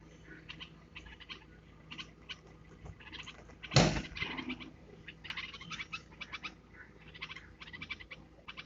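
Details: Red-vented bulbul hatchlings in a domestic setting give soft, rapid clusters of high chirps, with a loud thump near the middle.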